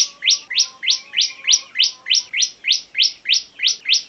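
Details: Bar-winged prinia in the ngebren song style, a tutor recording: sharp high chirps repeated steadily about three times a second, each a quick downward-slanting note, with a faint low steady tone underneath.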